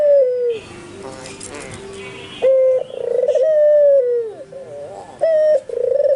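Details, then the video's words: White albino Barbary dove cooing steadily while nearby spotted and zebra doves respond; a broad rustling noise opens, then clear short notes lead into long trembling coos that fall in pitch at the end. "SUARA BURUNG PUTER PUTIH ALBINO FULL GACOR"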